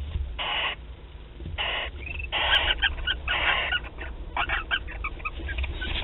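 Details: Barn owls at the start of courtship, Théding, 28 February 2021, recorded on a webcam: rasping hiss bursts mixed with short chittering and twittering notes and scratchy clicks, fairly busy and irregular.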